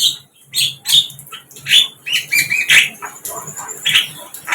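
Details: Wild flycatcher, known locally as sikatan londo, singing in the wild: a quick run of varied high chirps and short squeaky whistled notes with brief pauses between them.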